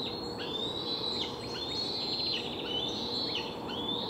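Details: Hungry bald eagle nestlings at a nest in Delta, recorded July 12, 2020, shortly before fledging, noisy and flapping their wings. They give high, thin piping whistles in quick overlapping series, with a steady hiss of background noise and a low constant hum.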